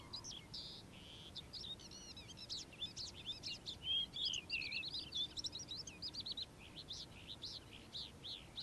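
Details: A calandra lark sings in the morning, pouring out a varied, jumbled stream of high chirps, clicks and brief whistles at a quick, irregular pace, with a few brighter piercing notes mid-phrase.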